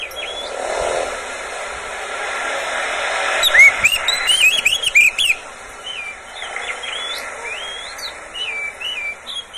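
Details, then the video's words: Pet Oriental magpie-robin in a cage, its song used to coax other birds of its kind into singing morning, noon and evening; bright whistled phrases with quick rising and falling notes come in two bursts, separated by quieter scattered calls. "SUARA BURUNG KACER, cocok buat pancingan Kacer pagi, siang, sore"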